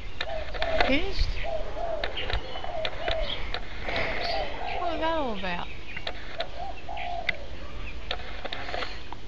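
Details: Pet sulphur-crested cockatoo, recorded May 19, 2008 on a Kodak EasyShare camera, swaying back and forth while making long, drawn-out raspy sounds, with a wavering tone that slides downward, amid room noise.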